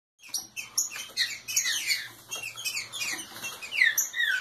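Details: Green-winged saltator, a local root-type bird warming up with aggressive song: rapid series of bright downslurred whistled notes between harsher chirps, dense and continuous, with a faint low hum beneath.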